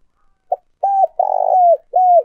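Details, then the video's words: Old wild-caught decoy spotted dove, Vietnam, calling to lure wild doves toward a trap loudspeaker: a short low note, then loud, hoarse, steady coos near 700, the middle one longest with a rough pulsing texture and a falling end. "Tiếng Chim Cu Mồi"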